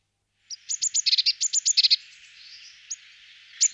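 A Eurasian blue tit gives a quick run of about a dozen thin, very high ticking notes over one and a half seconds, then a few scattered notes.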